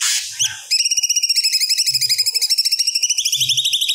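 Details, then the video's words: Cucak cungkok in energetic song: after a brief harsh note, a long, even trill of rapid ringing notes that rises slightly in pitch toward the end. "Burung Cucak Cungkok Gacor Muntahkan Materi Yang Di Simpan"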